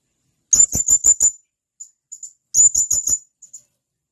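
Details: ['Blue-crowned hanging parrot uttering a fast run of five shrill, high-pitched notes, a few soft peeps, then a second run of five sharp notes about two seconds after the first.']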